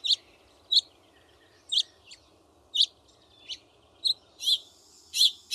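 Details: A male House Finch sings bright, lively, high chirping notes, some up-slurred, spaced about every half second, with rough, skidding stretches, over a faint low hum.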